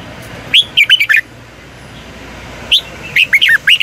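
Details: Red-whiskered bulbul decoy song, double twisting long voice, for morning training; two phrases of sharp whistled notes over a steady background hiss.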